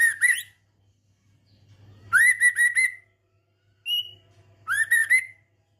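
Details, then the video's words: Trotolan song from a mutation male Medan white-rumped shama: strong rising whistled phrases broken into rapid stuttering notes, a lone higher whistle, and gaps of silence between bursts. "Trotolan Murai Batu Medan Jantan Mutasi GACOR"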